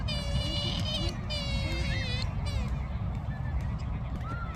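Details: Australasian swamphen (pukeko) in New Zealand giving harsh, nasal, wavering screeches, several in quick succession, each slurring downward, over a steady low rumble of wind.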